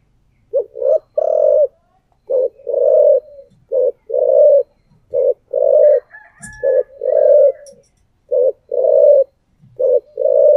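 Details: Decoy spotted dove in thổ voice gives a regular series of short-then-long coo pairs, about every 1.5 seconds. A brief high chirping sound is heard in the middle.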